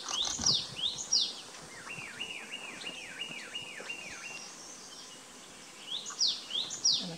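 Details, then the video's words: Himalayan cutia in northern Thailand, 2018, gives sharp, high sliding notes in quick bursts, with a fainter run of about eight looping, wavy whistles between them, and other birds faint behind. "Himalayan Cutia"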